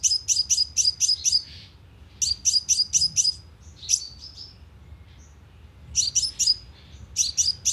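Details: Lure recording of a sunbird played from a speaker to draw birds: rapid bursts of thin, high chipping notes in groups of four to six, separated by short quiet gaps and a few softer scattered chips.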